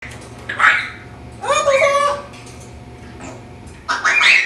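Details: Pet African grey parrot doing flips in its cage during morning exercise, producing several short speech-like phrases and squawky vocal bursts with gaps of quiet between them.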